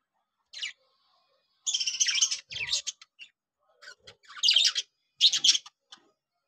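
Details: Three breeding pairs of pet budgerigars beginning a new breeding round, giving high, buzzy warbled chatter in several bursts of about half a second, with a few short squeaky notes.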